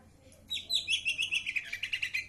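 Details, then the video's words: Green leafbird in full song: a fast run of about fifteen bright chirped notes, evenly spaced and slightly descending, delivered in under two seconds after a brief soft lead-in. "cak ijo trotol gacor"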